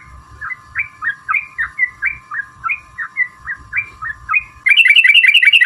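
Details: Sooty-headed bulbul in lively fighting-style song, used as a lure: spaced, slurred whistled notes roughly every third of a second over a hum, then a sudden faster, denser burst of chattering notes at the end.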